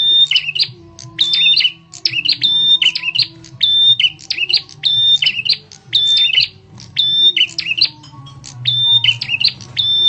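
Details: Bar-winged prinia lure call, loud and sharp, meant to draw other birds: each phrase is a steady high whistle dropping into lower chirped notes, repeated roughly every 1.2 seconds over ten seconds, with a faint low hum beneath.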